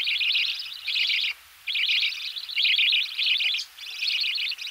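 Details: Close recording of budgerigar chicks begging as they are fed in the nest: long runs of high, scratchy, wavering chatter broken by short pauses, roughly one burst per second.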